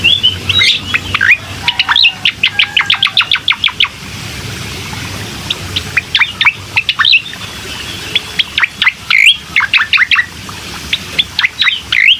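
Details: Bar-winged prinia song used to stir a reluctant bird into singing: fast runs of high, clipped chirps, a dense rattling series near the start, then looser clusters of sharp notes with brief pauses between, steady faint background hiss.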